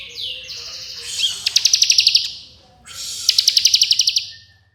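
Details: Bar-winged prinia giving fast, closely spaced drilling trills as master audio for training songbirds: a high slurred note leads into two buzzy phrases, each of about ten rapid stuttered pulses.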